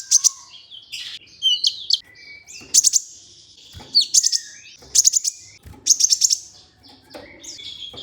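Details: Olive-backed sunbird used as a lure recording to set other sunbirds singing: bursts of very high, sharp, rapid ticking notes alternating with thin slurred whistles, the bursts coming roughly every second or so with brief pauses between.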